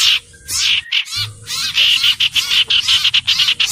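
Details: Common iora singing a quick run of sharp, chirpy notes and short trills after a brief gap, repeated many times in a rapid, stuttering rhythm.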